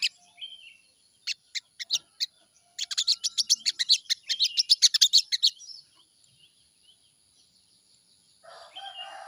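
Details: Sooty-headed bulbul morning song used as a lure: a few scattered high chips build into a long, fast, evenly spaced series of sharp notes, several per second, before fading to quiet and a faint rasp.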